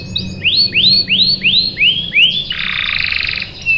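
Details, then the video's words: Canary lure song meant to prompt a reply: six rising upswept chirps at an even pace, followed by a dense buzzy trill and a final whistle. "PANCINGAN KENARI GACOR bikin NYAUT ikut BUNYI NGEROL | CUIT CUIT | CANARY SINGING"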